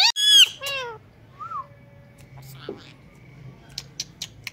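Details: Pet Indian ringneck parakeet talking and imitating a cat's meow: a loud, harmonic, downward-sliding meow-like note, then a second falling call and a soft short whistle, followed by quiet room noise with a few faint clicks.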